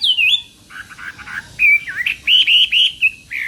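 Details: Chinese hwamei in morning voice training, starting with a clear whistle that falls and wavers, then soft burry notes, followed by loud rising whistled phrases repeated in quick succession.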